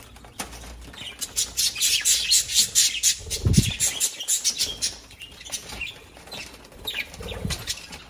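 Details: Small parrots in busy chatter: dense, rapid high chirps and twittering notes, several per second, with a low rustle or thump partway through.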